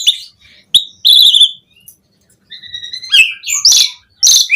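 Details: Asian pied starling, or jalak suren, giving varied song used as tutor material for captive birds: scattered sharp clicks, a strong whistled note, a long thin whistle, then loud shrill chirping bursts.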